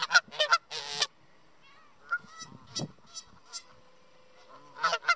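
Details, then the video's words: Two Canada geese at a park bench eating bird seed, honking loudly to keep other birds off the seed or ask for more food: bursts of harsh nasal honks at the start and end, scattered softer calls between. "Two Hungry And Loud Canada Geese Eating at a Park Bench"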